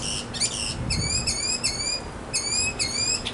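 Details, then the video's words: Male mockingbird in a backyard, singing to win a female: short bright stacked phrases repeated in quick sets, a pause, then the same phrase type again. "Mocking Bird 200 Sounds to Get the Girl!"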